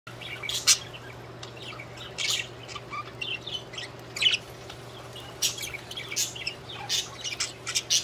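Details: Budgerigars singing, scattered high chirps and short squeaky notes in irregular bursts over a steady low electrical hum.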